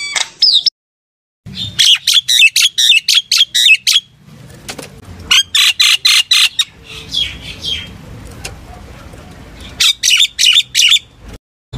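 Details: Common myna calling its flock with fast runs of harsh, squawking notes about four per second, broken by abrupt silences and a stretch of low rumbling background.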